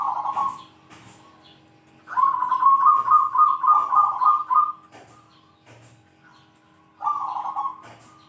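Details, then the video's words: Zebra dove in good form with a big 'kung' call, known for calling out rivals and good as a training model: a short rolled coo, then a long pulsed trill of nearly three seconds, then another rolled coo. "PERKUTUT GACOR SUARA KUNG BESAR ,,, PALING PANDAI MEMANGGIL LAWAN"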